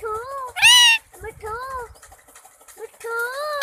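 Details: Pet green ringneck parakeet talking in Urdu/Hindi, saying 'main mithu': short, high, sing-song spoken phrases, one loud rasping squawk near the start, and quiet pauses between words.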